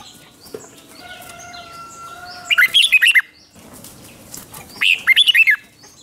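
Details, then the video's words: Red-whiskered bulbul song used to provoke competitive singing: two short bursts of quick, sharp warbling notes separated by a quieter stretch with faint high whistles and soft background bird sounds. "Kích Chào Mào Hót Ché |Kích chào mào hót đấu"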